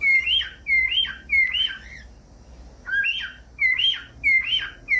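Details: Cockatiel calls intended to get pet cockatiels singing: repeated swooping whistles that rise then drop with a buzzy edge, in groups of three, about one and a half per second, over a faint low background noise.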